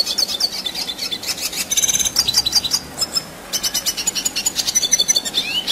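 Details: A red siskin pours out high, fast twittering song, buzzy chatter and sharp slurred notes, breaking off briefly around three seconds before a rapid pulsing run, recorded as long rolling material for competition songbirds.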